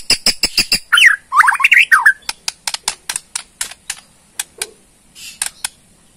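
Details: Bornean white-rumped shama in provoking rattle: rapid clicking chips, a burst of harsh slurred notes, then a long even run of dry ticks about three a second.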